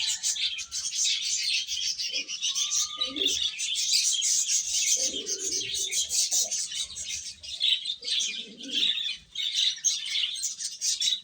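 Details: Feeding baby chickens producing an unbroken wall of high-pitched cheeping, with a short whistled tone early on and a few soft lower calls scattered through the middle.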